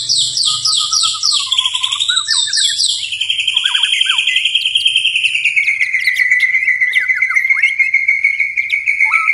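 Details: White-rumped shama (murai batu) in gacor night song: a fast series of descending high whistles, then one long, sustained trilled whistle wavering gently downward for several seconds.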